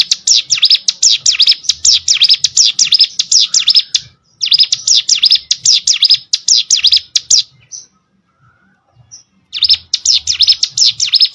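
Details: Ciblek sawah prinia pouring out dense bursts of very rapid, high chirps, three long bouts separated by short silences, with a couple of faint single notes in the gaps.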